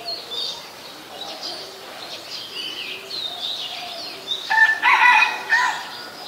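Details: Black-collared starling recorded in Ubon Ratchathani, Thailand, on 12 July 2020: a loud, harsh, rasping burst of broad harmonic squawks near the end, after a stretch of soft high chirps from other birds.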